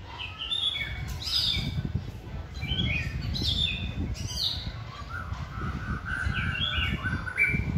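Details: White-rumped shama singing during a training outing with caged birds: bright whistled notes and quick warbled phrases repeated through the recording over loud low rumbling background noise.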